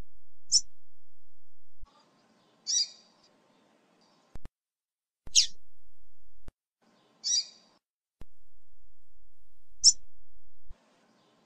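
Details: Female rusty-collared seedeater calling to stir up the male: six short, high chips spread over about ten seconds, alternating clean pips and buzzier smeared notes, with faint clicks and hiss between them.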